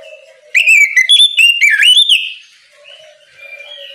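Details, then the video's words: Oriental magpie-robin singing in ngeplong style in the morning to prompt untrained birds to sing: a loud burst of rapid, sweeping whistled notes rising and falling, between soft low warbling from another bird before and after. "Kicau Kacer ngeplong memanggil Kacer bahan agar cepat gacor di pagi hari"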